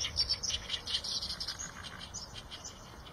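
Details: Eurasian tree sparrow giving a dense flurry of sharp, high chirps that slowly fade and thin out.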